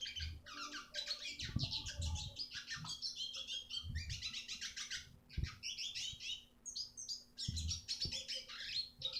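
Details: Red siskin singing for training other songbirds: long bursts of dense, buzzy chattering twitter broken by short pauses, over soft low rumbles and an electrical hum.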